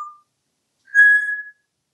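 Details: Indoor pet male African grey parrot from Texas: a brief faint note, then a clean steady whistle lasting about half a second, pure and level in pitch.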